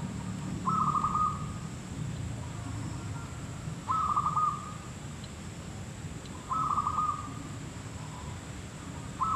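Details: Zebra dove (merbuk kampung, perkutut lokal) heard during bird trapping, giving short trilled coo phrases of rapid clipped notes, repeated about every three seconds with quiet gaps between, against a low droning background and a faint high whine.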